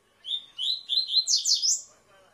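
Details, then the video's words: Caged double-collared seedeater giving tui tui song: a steady high whistle runs into a quick string of bright, slurred notes that rise toward the end. "COLEIRA TUI TUI ZEL ZEL"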